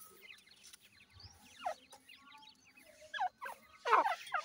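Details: Female grey francolin, or teetar, with her chicks while feeding them: scattered short, downward-sliding chirps and whistled notes, louder toward the end, with a faint steady hum behind.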